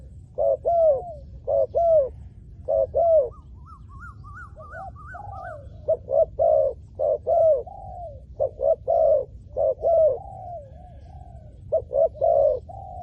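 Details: Spotted dove used to lure wild doves, giving repeated low hooting coo phrases in groups, with a brief higher wavering series of notes in the middle from another bird.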